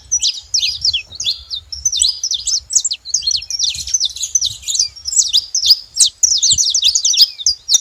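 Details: At a feeding spot, saffron finches chatter in a steady stream of high, clipped chirps and quick down-slurred notes, almost without pause throughout.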